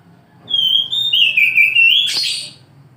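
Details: Oriental magpie-robin singing in the morning: a sustained clear whistle sliding down then rising, ending in a buzzy burst, with a faint low hum behind.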